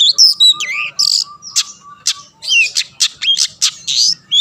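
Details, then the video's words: Long-tailed shrike singing to make other shrikes respond, mixing sliding whistles that bend down in pitch with harsh noisy bursts in an uneven, jumbled sequence. "burung cendet gacor pendongkrak emosi lawan"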